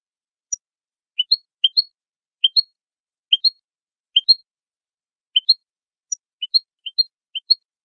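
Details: European goldfinch song used for training birds: a steady run of paired high chirps, a lower note then a higher one, repeated roughly every half second with occasional thin high ticks, over a silent background.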